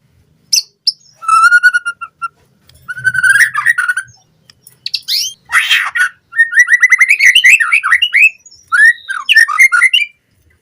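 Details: White-rumped shama lure song for training captive birds: a steady whistled note series, harsh buzzy bursts, then long rapid runs of repeated rising notes.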